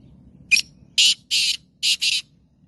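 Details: Black francolin, caged bird: a sharp initial note and then four loud grating, buzzy bursts in a quick phrase, over a low background rumble.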